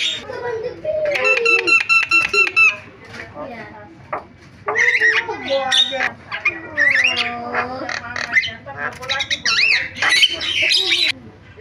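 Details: Javan myna (jalak kebo) singing a varied, mimicking song: a rapid clicking trill, drawn-out downslurred whistles, squeaky twisting notes and harsh bursts, with short pauses between phrases.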